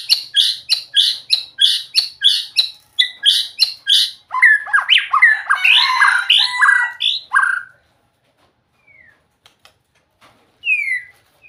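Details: White-rumped shama singing a long string of rapid, repeated high chirps, then a tumbling jumble of varied warbled notes, ending with a few scattered soft whistles.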